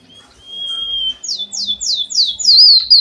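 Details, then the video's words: Java sparrow in full gacor song copying canaries: a level whistled note, then five loud downslurred sweeps in quick succession ending in a wavering high whistle. "Suara burung pipit bondol haji emprit kaji gacor"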